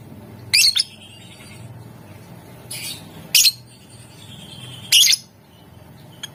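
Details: Lovebird recorded as a lure to get other lovebirds singing: three loud, shrill, sharp bursts, with a softer one between, spaced a second or more apart over a low steady hum.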